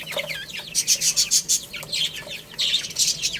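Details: Baby chicks playing and eating, giving quick downward-sliding chirps among loud, bright tapping and clattering bursts.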